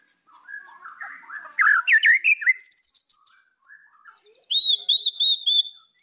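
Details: White-rumped shama song aimed at provoking rivals: soft low warbling, then a loud burst of varied slurred notes and high whistles, a quieter pause, and a final run of rich, clear, wavering whistles.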